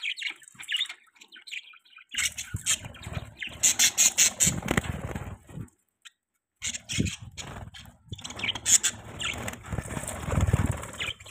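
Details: Pet budgerigars chirping and squawking in bursts of harsh, buzzy notes, with a run of rapid chattering pulses and short pauses of silence between phrases; low thumping noise underneath.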